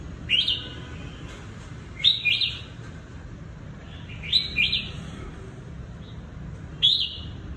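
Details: Caught Red-whiskered bulbul kept as a decoy, from Cao Bằng, Vietnam, giving short bright whistled phrases of two or three slurred notes, repeated about every two seconds, against constant low hiss.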